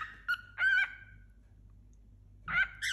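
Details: Tame young male cockatiel about four months old, a new companion bird: a few short whistled chirps separated by a long quiet gap, the last two louder and harmonic-rich.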